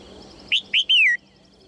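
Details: Red-whiskered bulbul female calling to prompt males into song: a single clear whistled phrase, two quick rising chirps followed by a longer, sweet note that falls in pitch.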